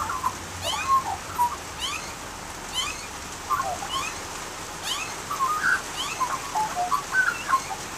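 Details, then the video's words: Australian magpie singing with low, rich warbled and yodelling notes in scattered bursts, fainter rising sweep notes behind, and a constant hissing background. "Nonstop Australian Magpie Sounds and Calls | Unbelievable Magpie Singing!"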